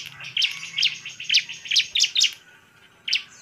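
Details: Lively bar-winged prinia, a sound used to rile other prinias: a quick series of sharp, high chirps roughly every half second, then a brief pause and one more chirp, with a faint low hum behind.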